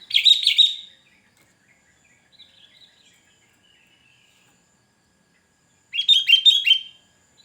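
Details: Sooty-headed bulbul singing to lure wild birds and call rivals: a loud burst of bright, rapid chattering notes, a long pause with faint distant chirps, then a second rich warbled burst near the end.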